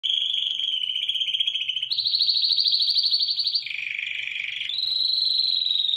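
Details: Canary singing a run of fast, buzzy trills that hold one pitch, then jump higher, drop lower and rise again, each section lasting one to two seconds, with a faint low hum underneath.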